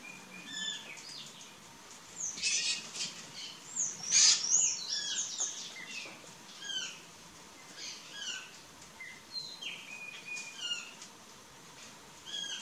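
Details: Courting plush-crested jay, a Cyanocorax species: rapid high chirps and falling whistles scattered over twelve seconds, with a louder, denser burst of notes near the middle, then sparser calls.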